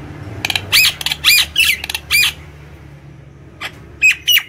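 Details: Energetic home-kept Nias hill myna song used to stimulate other birds: a run of loud harsh squawks and rough whistles, a pause, then two short clear whistled notes.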